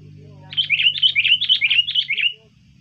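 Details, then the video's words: Sooty-headed bulbul song used as a lure to attract wild birds, from a trained bird: a lively run of about ten quick, bright warbling notes over roughly two seconds, with a low steady hum in the background. "pikat burung kutilang Bagus gacor ampuh tahan seharian"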